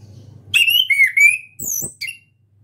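An orange-headed thrush practises its song: a few loud, clear whistled phrases that slur down and rise, then a brief high note and a short whistle.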